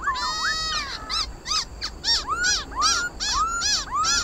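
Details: Black-throated laughingthrush fighting song: a tangle of nasal harmonic notes, then a quick string of rich arched and rising whistles, roughly three per second.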